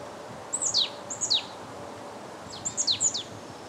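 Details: Marsh Tit calling in winter in Limousin, France, on 8 February 2012, during a cold wave from Russia. Sharp, high, down-slurred notes come in pairs, two quick pairs and then a cluster of three or four, with quiet ambient noise.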